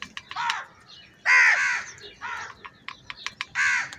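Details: Many crows fighting for food; harsh, buzzy caws from several birds, one loud drawn-out call in the middle, with sharp clicks and chatter between them.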